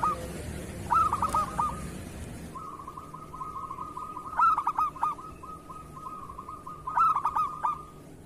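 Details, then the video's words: Local zebra dove singing in a recording meant to coax other doves into song: a long, steady, purring trill broken by short bursts of clipped cooing notes, with a noisy, rustling start. "Suara perkutut lokal masteran perkutut kerot"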